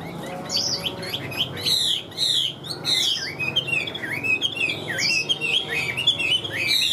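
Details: A large caged Chinese hwamei flicking its wings and tail sings continuously, a dense stream of high piercing whistles, swoops and rapid trills with scarcely a pause.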